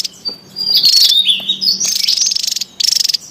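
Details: Javan tesia in the wild, calling noisily: high thin whistled notes sliding down, then a dense buzzy rattle and a final short rattling burst after a brief pause.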